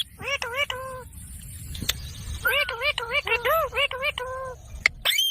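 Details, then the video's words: Talking green pet parrot, uttering strings of harmonic, word-like syllables with rising and bowed tones, separated by a quiet gap and a few sharp clicks. "Parrot Talking video| Green Parrots moments"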